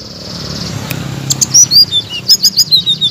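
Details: Blue-crowned laughingthrush song used as training material to make birds that stopped singing answer loudly. A hissy stretch comes first, then a burst of sharp, high, rising and falling chirps follows in fast succession.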